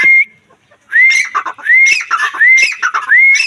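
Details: Black francolin calling: loud, clear whistled notes that rise steeply, each followed by harsh, grating syllables, repeated about every half second in a close, dry recording.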